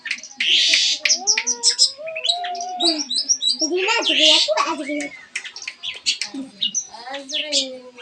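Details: Long-tailed shrike song used as a lure to provoke a silent bird to sing: dense, fast run of varied chirps, harsh buzzy bursts and short whistled slurs, with low tonal notes and brief human voices underneath.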